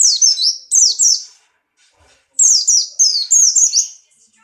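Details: White-eye of the Buxtoni form, in strong breeding condition and jumping, gives two quick pairs of piercing downward-slurred notes, then after a short gap a faster run of five high descending whistles.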